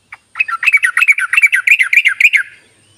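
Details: Yellow-vented bulbul giving its ropelan call, used as a lure to get reluctant bulbuls singing: one short note, then a fast run of about twenty bubbling, chattering notes lasting two seconds before fading.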